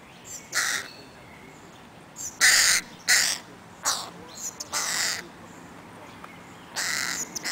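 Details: Helsinki, Finland, 20 July 2011, crow chicks that won't leave their mum: irregular run of rough, nasal caws of varying length, with quieter short notes between the louder harsh calls.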